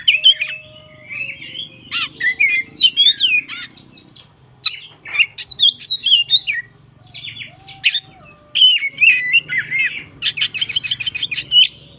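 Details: Oriental magpie-robin morning song meant to stimulate sluggish singers: long run of varied whistled and warbled phrases, rising and falling notes, sharp ticks and a trilled passage near the end.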